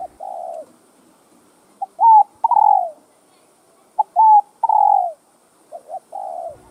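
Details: Spotted dove cooing in phrases used to provoke caged males into singing: a quick pip, a sharply rising-and-falling coo and a long descending coo, repeated steadily every two seconds or so, clear against silence.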